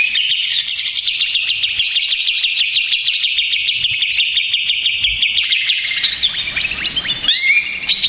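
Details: Greater green leafbird, a stressed and agitated caged bird, singing a loud, continuous, rapid warbling song of dense chattering notes with fast trills, used as a lure to provoke other leafbirds into answering.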